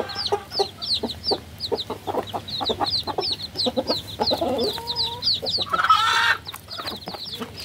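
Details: Several young chicks chirp steadily, sharp high peeps repeated in quick succession. Lower soft knocks run underneath, and a loud rushing noise comes near the end.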